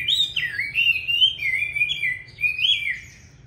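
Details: Chinese hwamei ('lá vả' type, Vietnam) singing a short stretch of loud, mellow whistles that glide down and back up in looping, connected phrases.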